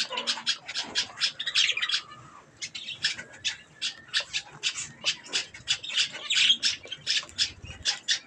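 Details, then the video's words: Budgerigars calling while eating strawberries: a steady series of sharp, rasping high chirps repeated about three times a second, with brief warbled phrases between. "Budgies Sounds while eating Strawberries"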